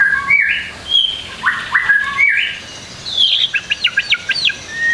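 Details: White-rumped shama song used to tutor young birds, rich in varied phrases: repeated rising whistled slurs at a steady pace, then a rapid series of high upswept notes.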